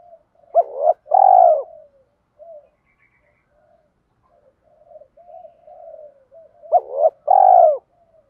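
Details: Spotted dove, a 'thổ'-voice cooing style mixed with fight-provoking calls, used to train decoy birds to coo: a loud rising hoarse coo phrase, soft murmuring coos between, then a second loud phrase about six seconds later.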